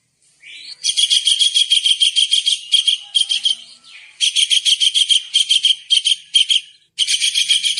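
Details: Tengkek udang kingfisher in an active masteran recording for songbird training: a rising squeal opens long, fast runs of harsh, buzzy notes, with repeated phrases separated by short pauses.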